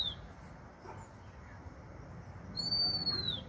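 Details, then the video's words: A single bird's clear, high whistle, held level for about a second before curving downward. A clipped tail of an earlier note opens the recording, and a soft broadband hiss runs underneath. "suara burung kesepian"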